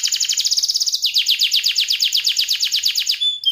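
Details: Canary trilling in full voice with a rich, drawn-out song: a very fast high trill shifts after a second into a slightly slower series of repeated sweeping notes, ending with a thin whistle.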